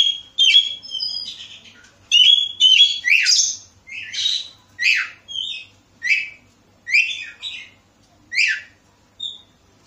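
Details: Lure song of an Oriental magpie-robin (kacer) in Bekasi, meant to get other birds singing: sweet whistled phrases mixed with rasping upward sweeps, delivered in separate bursts roughly twice a second and slowing toward the end.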